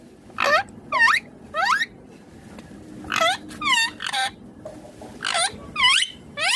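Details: Pet green ringneck parrot calling in loud bursts of bent, harmonic squawks, three quickly at first, a short pause, then a further group of similar calls in close succession.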